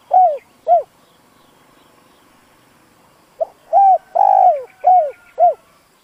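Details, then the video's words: Spotted dove, a decoy bird used to provoke other doves into calling, giving soft low coos: two short notes, a pause, then a run of five arching coos with a longer middle note. "Tiếng chim cu gáy dùng kích bổi lâu nổi"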